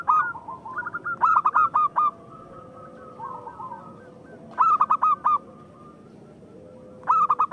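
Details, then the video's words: Local zebra dove singing to spur other doves to sing: two or three staccato bursts of loud clipped coos, each five to six notes, between quieter trilled phrases and long low tones. "Perkutut lokal gacor naikin birahi lawan agar gacor"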